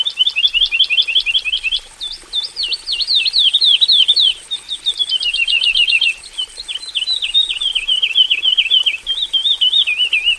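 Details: Javan bush lark singing in a simple aviary cage, full of varied fill phrases: rapid trilled series of sharp down-slurred notes, then wavering warbled phrases, continuous for ten seconds, with a steady high electronic whine behind.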